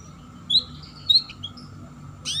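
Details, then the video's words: Canary 'ngeriwik' chirps, played as a lure to get young canaries singing: a few brief, high, thin chirps spaced about half a second apart, then a louder noisy burst at the end, over a constant low hum. "Cuit Cuit Suara Kenari Ngeriwik || Pancingan Kenari Paud Cepat Bunyi"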